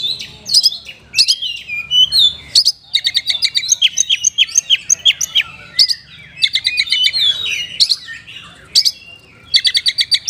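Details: Caged Oriental magpie-robin in full song with rich fill-in phrases, used to stir lazy birds to sing. Bursts of quick, high repeated notes alternate with slurred whistles and short pauses, the phrases shifting constantly.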